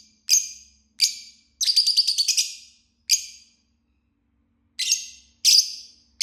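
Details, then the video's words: Lovebird, Green Fisher type, singing and chirping: shrill high chirps with a rapid stuttering trill of about eight pulses, a pause, then more sharp calls. "Love Bird Singing and Chirping Sounds - Green Fisher"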